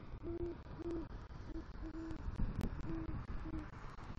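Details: Great horned owl, a male bringing rodent prey to the nest tree and calling for his mate, southwest Florida, night of November 3, 2023; six deep, muffled hoots at uneven intervals, with a soft thump midway.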